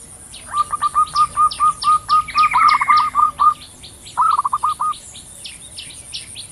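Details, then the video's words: Zebra doves, female and male answering each other in the wild: rapid series of short hooked cooing notes about four per second, overlapped by a higher descending trill, with a steady high insect hum behind. "Suara PERKUTUT BETINA dan JANTAN saling sahut di alam"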